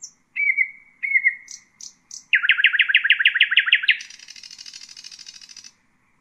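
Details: Nightingale song for teaching young birds: two long pure whistles, a few sharp high chips, then a rapid volley of about a dozen repeated notes ending in a long buzzy trill.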